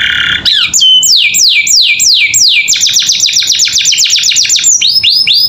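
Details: Canary song played as training audio for captive birds: a loud run of repeated downward-swept whistles, then a rapid dense trill of short notes and a few closing sweeps, strong and continuous.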